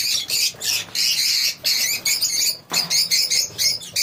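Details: Lovebird colony in full cry, loud continuous shrill screeches and chirps from many birds overlapping with only brief gaps.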